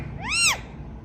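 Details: One drawn-out arching syllable from an Indian ringneck parrot said to be talking "mithu"; rises then falls in pitch, rich in harmonics, bright and nasal, over a low background hum.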